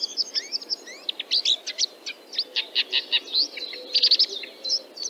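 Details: A Red-backed Shrike from Central Russia gives a fast, scratchy jumble of high chirps and short squeaky notes, uneven in pace, over faint background hiss.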